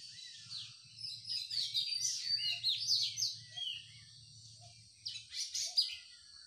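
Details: Birds chirping in the morning outdoors: a busy run of quick, high, twittering notes and short sweeps, pausing briefly before another burst, over a steady low hum.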